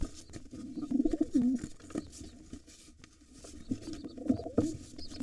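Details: Wild pigeons at a nest holding two nestlings, where a white male fights off a gray intruder trying to take over. Low, throaty cooing notes come in short bursts near the start and again near the end, with faint scuffling and a low hum.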